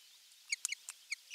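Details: Osprey at a nest on 23 June 2020, the morning a half-kilo crucian carp was brought; a few short, sharp harmonic notes separated by faint clicks.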